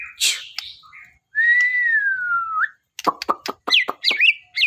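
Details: White-rumped shama, described as singing eagerly to find a companion: a harsh note, then one long slightly falling pure whistle, followed by a quick string of sharp clicks and rising chirps.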